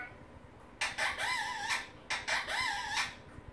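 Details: Indian ringneck parrot, a male kept as a pet, playing with his toys and talking to them: two drawn-out, voice-like phrases about a second apart, each with wavering, rising and falling tones, in a quiet room.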